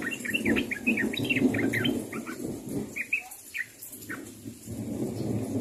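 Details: Sooty-headed bulbul calling to others, bursts of quick chirped and whistled notes, dense at first, then sparser, over steady low background noise.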